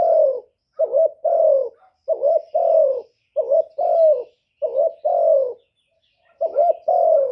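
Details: Repeated spotted dove coos meant to lure wild doves: about six phrases, each a short tremulous note followed by a sustained descending coo, spaced nearly evenly, with a pause before the last.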